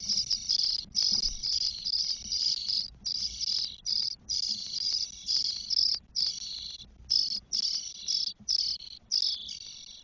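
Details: Four 12-day-old Spotless Starling nestlings in a nest in Spain, 1 June 2022, give harsh, hissing begging calls in near-continuous overlapping bursts of about a second, with brief pauses, over a faint low hum.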